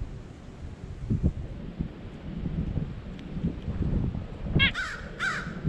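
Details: White-breasted nuthatch with two short nasal notes near the end, each slightly falling, over rustling, wind-like low background noise.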